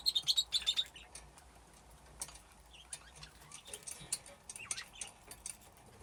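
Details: Aviary budgerigars at play near nesting boxes: a rapid string of sharp, bright chirps opens, followed by scattered soft ticking clicks and faint twitters.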